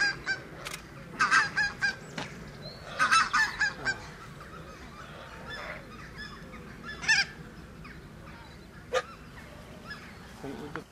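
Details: Swan goose at Slimbridge giving bursts of nasal honks in quick series of three to five, then a single loud honk and a short sharp call later, over steady background noise.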